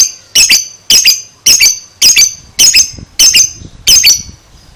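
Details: Young lovebird, two months old, repeating harsh high paired squawks about twice a second, seven bursts, with faint low thumps underneath.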